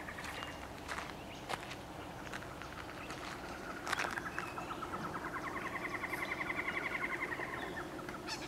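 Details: A squirrel cuckoo in a tree at Playa Grande Beach Estates, Costa Rica, gives a fast run of short, even notes near the end, over a steady low hum with a few sharp knocks and clicks.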